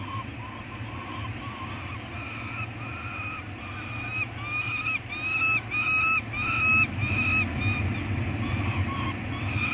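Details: Peregrine falcon eyasses at their Anacapa nest on 18 May 2022, filmed by live cam as a meal arrives and one chick eats: harsh, nasal wailing notes in a steady series that grow louder, quicker and more broken, over low rumble.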